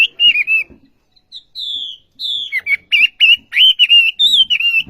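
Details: Olive-backed sunbird singing energetically: wavering whistles, two long thin descending notes, then a quick series of sharp, high, rolling chirps.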